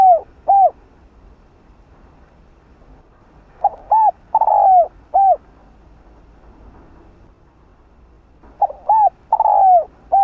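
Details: Spotted dove repeating its rousing coo phrase: the tail of one phrase, a complete phrase, then another, each mellow and hollow with a long sliding croo, separated by quiet gaps.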